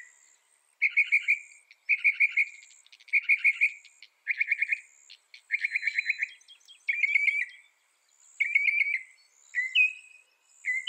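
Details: Singing mockingbird delivering a string of buzzy trilled phrases, each repeated a few times before changing to a new phrase, then clearer whistled notes, with high insect noise behind.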